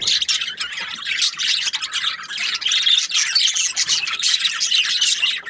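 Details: Happy budgies chirping: loud, dense, unbroken high warbling made of many quick scratchy notes running together at an even level.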